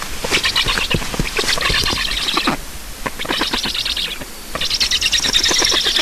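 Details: Black storks at a nest in Estonia during feeding, 9 July 2019 at 7:15. Loud hissing, rasping bursts come in three long bouts with short gaps between them, and scratchy clicks throughout.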